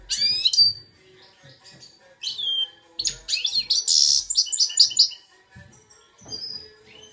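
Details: Goldfinch x red siskin hybrid, two years old, in Belfast, singing what is called Algerian goldfinch song; sharp high chirps, then a long rich twittering and buzzing phrase, with a faint low background murmur.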